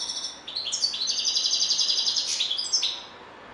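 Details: Goldfinch song, a lively liquid twitter broken by a fast, even trill of clicking notes, about four per second, before fading near the close.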